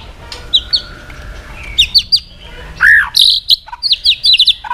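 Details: White-rumped shama singing to provoke aggression, with sparse high whistles, then a loud arched whistle and a dense burst of sharp, high rapid notes.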